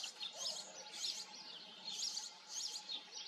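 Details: European goldfinch (Carduelis carduelis) giving thin, high twittering in short tinkling bursts about every half second, quiet against a steady background hiss and a faint low hum.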